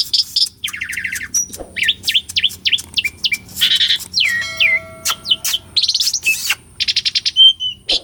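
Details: Asian pied starling in full energetic song, used as a training lure for silent birds: dense rapid mix of downslurred whistles, buzzy rattles, harsh noisy notes and a long drawn whistle, delivered almost without pause.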